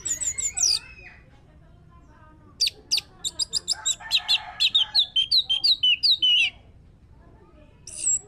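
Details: Orange-headed thrush lure song for encouraging singing: high thin squeaky notes opening, then a long fast series of varied whistled chirps and slurred phrases, mimic-like and lively, ending with a brief high squeak.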